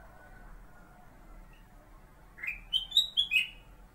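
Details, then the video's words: Kutilang emas (Pycnonotus melanicterus), a pet bulbul kept as a master singer for shamas, delivers a single lively run of about five sweet, warbled whistles, slightly descending at the end, after two quiet seconds. "BURUNG "KUTILANG EMAS" KU BERBUNYI...SUARA MASTER"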